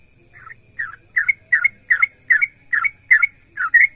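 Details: Sooty-headed bulbul, singing to make other bulbuls answer: after two soft opening notes, a steady string of loud chirpy two-part whistles about every third of a second, with faint low hum beneath.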